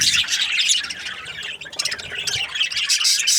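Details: Budgie breeding pairs chirping in quick, irregular bursts of high twittering and scratchy notes, several birds calling over one another.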